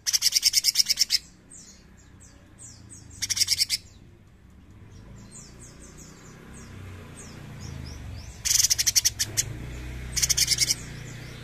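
A bulbul gives bursts of rapid, high, buzzy chattering notes, each about a second long, with softer quick chirps between them over a low background hum.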